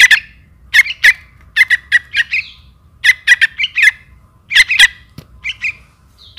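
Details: Chick of the trukan calling its mother: steady series of coarse, buzzy squawks in short runs of two to four, repeated throughout with brief pauses.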